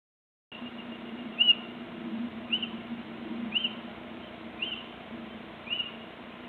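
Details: Little owl calling on 26 March 2014, often out of view: a series of short, sharp, slightly rising notes repeated about once a second over a low, steady background hum.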